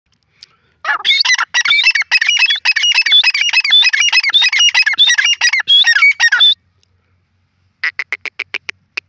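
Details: Grey francolin, also called Irani or gora teetar: a loud, fast burst of squeaky, harmonic notes repeated for about six seconds, then a short series of sharp clicking pulses after a pause.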